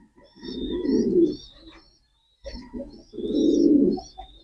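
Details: Two rolling, guttural coos from a male pigeon, each swelling then fading, separated by a brief pause; faint high chirping of other birds in the background.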